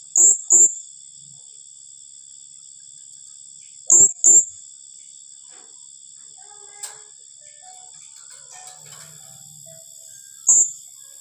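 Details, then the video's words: Shrill paired notes from a blue-crowned hanging parrot, its "tembakan rapat" rapid-fire style said to throw rivals off, with pairs spaced several seconds apart and a final single note over a constant high hiss. "Suara serindit tembakan rapat"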